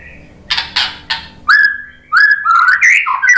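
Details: Lure song from a white-rumped shama to stir other shamas to sing back: three short harsh chips, then a run of clear fluting whistles stepping up and down in pitch.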